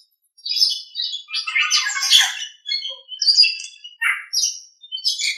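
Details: For training other birds, a Nias hill myna gives a loud, grating, varied phrase after a short silence, followed by separate whistled and squawked notes spaced under a second apart.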